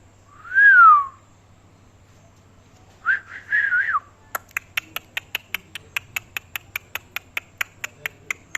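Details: Pet parrot vocalizing: one loud whistle that rises then slides down, a short warbled phrase about two seconds later, then a long run of evenly spaced sharp clicks or taps.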